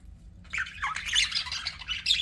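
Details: Budgies warbling: a brief quiet lead-in, then dense, rapid squeaky chirping that wavers up and down with little pause and ends on a sharp bright chirp.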